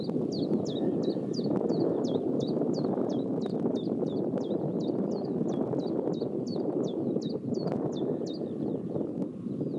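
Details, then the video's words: Chiffchaff song recorded near Pehritzsch: a long unbroken run of high, sharply dropping notes repeated evenly, several per second, almost twenty in all, over a constant low rumble of wind or traffic. "Zilpzalp mit Gesang bei Pehritzsch Vogelstimmen chiffchaff"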